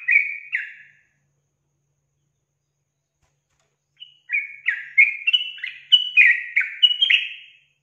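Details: Sooty-headed bulbul singing in a lure recording aimed at provoking rival bulbuls. Two quick liquid notes, a three-second pause, then a lively burst of about a dozen bubbling whistled notes rising and falling.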